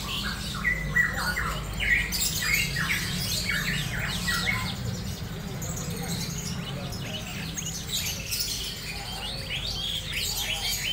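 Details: A tame sooty-headed bulbul chatters busily in quick, bubbly, chirping phrases, about three notes a second, over a steady low hum; finding: Sooty-headed bulbul.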